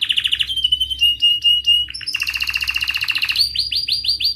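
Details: Caged canary singing loud cuit-cuit chirps and rolling ngerol trills, meant to teach young canaries and revive silent ones. It opens with a fast buzzy trill, then gives a long sustained whistle, a dense rattling roll and a run of repeated rising chirps.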